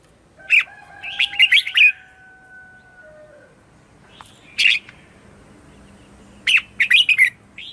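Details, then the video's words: Red-whiskered bulbul morning song in 'chè' style for luring wild birds and training caged ones: a burst of rapid loud warbled notes, a single chirp, then a final lively bubbling phrase. "Luyện chào mào hót sáng - CHÉ GỌI BỔI CĂNG ĐÉT"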